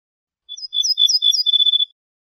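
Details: Ortolan bunting song from a compiled set of wild bird songs: a short high introductory note, then a ringing, even series of clear whistled notes repeated rapidly over about a second and a half, with no other sounds.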